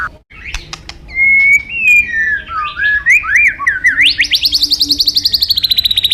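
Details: White-rumped shama used as a master recording for training future champion songbirds: smooth sliding whistles climbing in steps, then a long fast trill of high pulsed notes, with a low steady hum behind.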